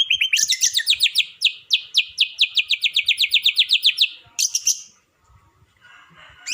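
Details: White-rumped shama giving a long 'nembak panjang' style burst to stir up other shamas: about fifteen fast, evenly spaced high notes slowly descending in pitch, then a sharp high flourish and quiet afterwards.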